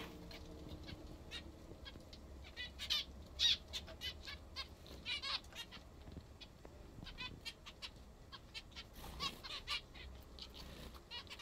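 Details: Several pet zebra finches eating what they like best, giving repeated nasal beeping calls in irregular bursts, busiest around the third to fifth seconds and again near the end, with low background hum.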